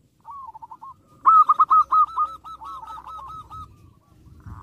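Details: Zebra dove sings to provoke rivals: a soft trill of coos, then a loud burst of rapid, rolling notes repeated many times and fading into quieter coos, with low background rumble.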